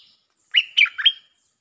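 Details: Bulbul lure song, a single rich phrase of three liquid, slurred whistled notes that fall and rise quickly, clear and loud against silence.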